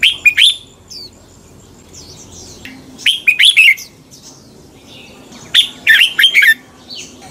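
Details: Red-whiskered bulbul delivering a fighting song, used to train caged birds to sing in the morning: three phrases of quick, rich warbling notes separated by quiet gaps with faint high chirps.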